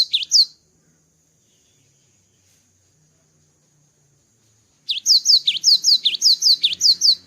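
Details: Java sparrow after moulting: a short chirp opens, followed by quiet, then an energetic sequence of high slurred whistles and V-shaped notes repeated rapidly.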